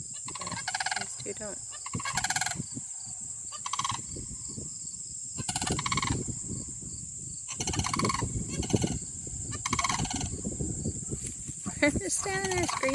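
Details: Two sandhill cranes call to each other, a pair with no young one alongside. Loud, rolling, rattled bugles repeat in bursts about every two seconds, over wind buffeting and rustling.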